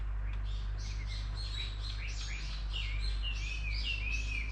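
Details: Unnamed bird singing a continuous run of varied high chirps and short whistled slurs, over a constant low background hum.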